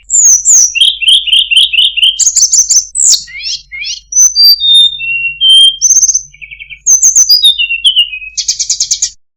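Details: Sunda robin (tledekan gunung) singing a very melodious song with fine cengkok phrasing: high whistled notes, quick repeated chirping runs, descending slurred whistles and a buzzy trill at the end, loud and clean with no other sounds.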